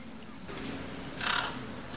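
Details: Blue-and-yellow macaws, a flock feeding on the fruits of an imperial palm tree, give a harsh, broadband squawk, then a louder raucous burst near the end over a low background hum.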